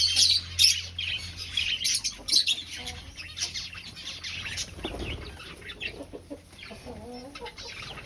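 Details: Aviary finches in a breeding colony, searching for a nest, give busy, high chirping calls, densest in the first three seconds, then sparser, with soft fluttering wingbeats and some lower rustling.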